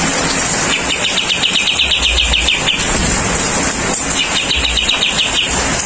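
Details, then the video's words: During rain, a kapas tembak bulbul delivers two long runs of rapid, ticking high notes, the first nearly two seconds long, against loud continuous rain noise and low background rumble. "TERAPI AIR HUJAN MEMBUAT BURUNG KAPAS TEMBAK GACOR"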